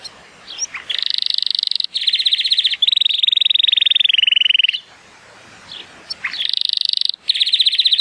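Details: Timbrado Español canary, a male born in 2018 and rated 83 points, singing on a sunny day: long loud rapid-fire metallic trills with a smooth whistled roll in the middle, separated by short quiet pauses.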